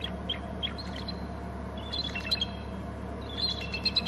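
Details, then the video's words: Bald eagles at a Hornby Island nest and territory, both screeching as a third eagle flies in from inland; scattered high, thin chattering notes, some paired, building into a denser burst near the end over a steady low hum. "both eagles screeching as a 3rd flies in from inland"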